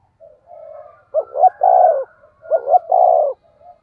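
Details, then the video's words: Spotted dove in the 'thổ sấm' voice style, used as a lure to stimulate wild doves: two phrases of two quick, rising coos, each followed by a long, hoarse, drawn-out coo, with softer low coos between the phrases. "Chim cu gáy giọng thổ sấm chuẩn // tiếng chim cu gáy kích bổi mới rất hiệu quả"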